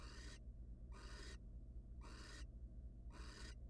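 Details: Wild barn owls at a nest box as the male drops in with prey for his mate: four harsh breathy hisses, each about half a second long, repeated roughly once a second over a steady low hum.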